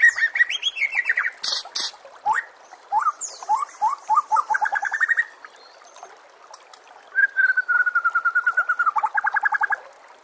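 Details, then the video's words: Long white-rumped shama master song for training murai batu, set with trickling water: varied whistled phrases, rapid trills and stuttering note series, a pause, then a long, even rattling trill. "murai batu anda dengar suara MASTERAN burung seperti ini"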